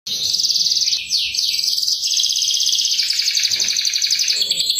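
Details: Canary song used as a lure, chirping style; a dense, continuous high twittering trill with fast rolling notes and a few rising sweeps, with faint low background noise.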